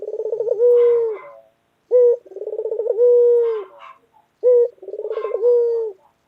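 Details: Three loud calls from a white pet collared dove, each a clipped opening note, a fast rolling trill and a long level coo, repeated roughly every two and a half seconds in a quiet setting.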